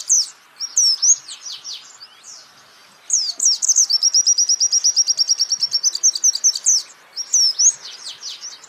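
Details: White-eye song used to train songbirds: clusters of high downslurred chirps, a brief pause, then a long run of about thirty rapid identical piercing notes, followed by further thin twittering slurs.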